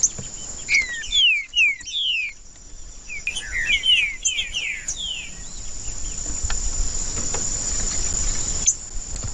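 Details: Green-winged saltator in macheando song, meant to warm up a bird for singing. Two bursts of fast, sliding whistled notes are separated by a pause, then fade into a constant high hiss and insect whine.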